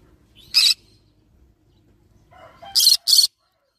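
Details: A single scratchy squawk from a yellow-sided green-cheeked conure, then soft tonal chatter leading into a rapid pair of harsh screeches.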